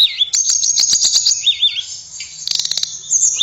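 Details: High sweet tledekan (blue flycatcher) song with looping wavering whistles and a stuttering series of rapid clicks and chirps, over a soft low hum.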